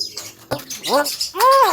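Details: Javan myna singing energetically: a brief click, then two rich, harmonic, arched calls that rise and fall, the second louder and longer.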